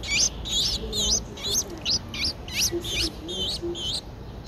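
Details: Ten-day-old streak-eared bulbul nestlings recorded in Ubon Ratchathani, Thailand, 12 April 2023, uttering quick high squeaky chirps with rising and falling inflections, about two or three per second, over faint lower background sounds.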